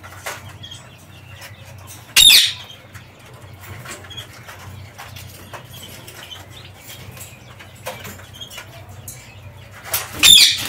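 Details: Aviary parakeets moving freely: a sharp, harsh squawk just after two seconds, then a scattering of soft high chirps and clicks, and another rasping screech at the very end.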